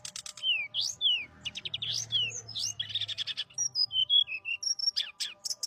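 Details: Energetic 'gacor' bird song: a quick run of high whistled slurs, rising and falling, mixed with dense chattering chirp series and brief pure whistled notes. A faint low hum runs in the background.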